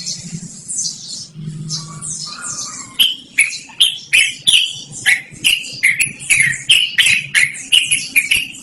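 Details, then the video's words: Yellow-vented bulbul in long rolling song, used for luring or tutoring: quiet high twittering for three seconds, then a fast, regular run of loud, harsh chattering notes about twice a second. "BURUNG TRUCUKAN GACORR NGEROL DURASI PANJANG"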